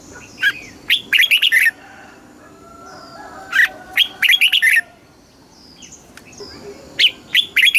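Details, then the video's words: Red-whiskered bulbul singing in Thailand, southern master-style song used to excite caged birds and teach chicks: three rapid phrases of bright, tumbling whistled notes about every three seconds, with faint distant bird whistles between. "เสียงนกกรงหัวจุก สำหรับต่อ หรือ เปิดให้นกคึก เสียงเพราะๆ"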